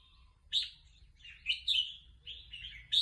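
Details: Red-whiskered bulbul, a caged songbird said to be eager to compete, giving short bright warbled phrases around the upper-middle pitch range, separated by brief pauses, in a quiet room with low background hum.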